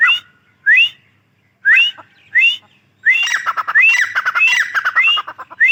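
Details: Rising whistled calls of a female grey francolin, spaced roughly once a second, breaking into a dense, fast run of overlapping harsh whistled notes in the second half.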